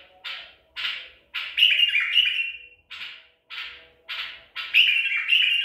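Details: Baghdadi tor white-eared bulbul, a bird caught at Medical City, recorded on 14 April 2021. Short rough notes alternate with longer, descending warbled phrases, repeated several times over a few seconds.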